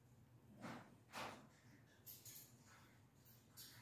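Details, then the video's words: Pet cockatoo venting: two loud, rough, breathy bursts about half a second apart, then several softer raspy notes over a steady low indoor hum; "pretty girl" is spoken just after. "cockatoo Casper venting"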